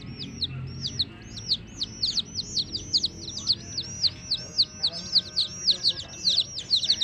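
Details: Baby chicks with a hen, peeping steadily: high, clear notes that arch up and slur down, repeated rapidly in an almost continuous chorus of overlapping calls, with a faint low rumble underneath.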